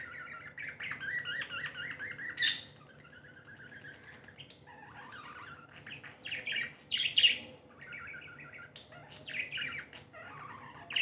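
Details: Tamed pet budgerigars, described as happy, alternate rippling chirp runs with a few loud sharp squawks, leaving quieter stretches between bursts of warbled chatter.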